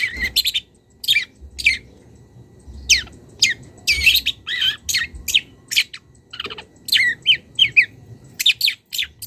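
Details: Calling to a rival, a young wild long-tailed shrike mixes mimicked notes into its calls: sharp descending squeaks and scratchy chatter in uneven bursts, some notes paired, over faint low hum.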